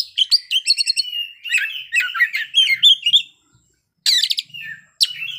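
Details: Oriental magpie-robin (Copsychus saularis) mimicry song: a fast, varied run of sweet whistles, trills and harsh chattered notes, a brief pause, then it starts again.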